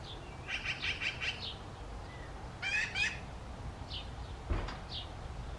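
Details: Young magpies calling: rapid rasping chatter in short bursts, a clipped squawk pair near the middle, and scattered brief high notes, with a soft knock toward the end.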